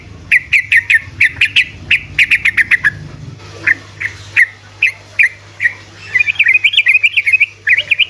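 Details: Sooty-headed bulbul song intended to get lazy bulbuls singing: rhythmic bright chirps in a steady run, a brief gap, spaced single notes, then a lively warbling phrase with a faint low hum.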